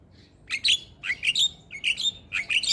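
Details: Lively Javan myna song meant to coax other mynas into singing: four quick bursts of bright, chirping whistles with short gaps between them, over a quiet background.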